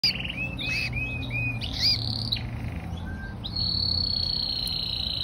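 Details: A canary in a backyard aviary, readied for the cold season, sings a run of quick, repeated chirping notes, then a long, even high trill, over a low steady background hum.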